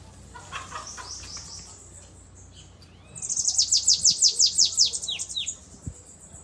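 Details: Canary in Belgian 'cantoria corrido' song with an unusual 'pitiu' phrase: softer chirps at first, then a loud run of quick, high, sweeping trill notes for about two seconds, ending in a few looser downward slurs.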